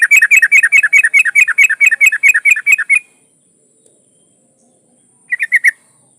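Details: Female yellow-vented bulbul (trucukan) in breeding condition calling a male: a long run of about fifteen fast, evenly spaced chattering notes lasting three seconds, silence, then a short three-note burst.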